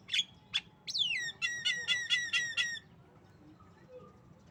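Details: Female Javan myna, tame and able to talk, coughing and laughing: two harsh squawks, then a falling whistle sliding down, followed by a fast run of ringing, harmonic laughing notes that stops abruptly; quiet afterwards.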